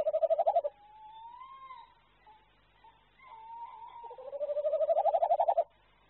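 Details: A courting tawny owl pair before breeding season: the male calls from a nest-hole entrance with low, hollow hoots, a brief quavering burst, smooth drawn-out notes, then a long tremulous hoot; the female answers with kew-wick calls.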